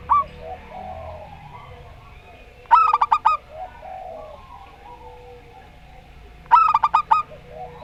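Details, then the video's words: Two rolling phrases of quick, mellow coos, each around six notes, roughly four seconds apart, from a local zebra dove singing in the Rondo Semoyo style, with a soft background rumble between. "Perkutut Lokal Rondo Semoyo VS Perkutut Suara Aneh"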